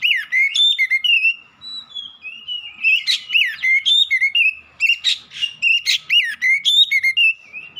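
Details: Sustained, powerful song of a black-breasted oriental magpie-robin: nearly continuous loud whistles, trills and sliding notes delivered at a rapid pace, with a few harsh, rasping elements mixed in.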